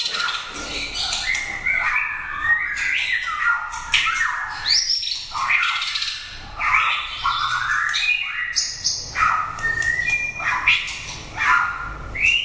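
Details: Caged competition white-rumped shama singing a rich, varied stream of clear whistled phrases, rising and falling slides mixed with harsh notes, delivered rapidly without pause, with a low background hum.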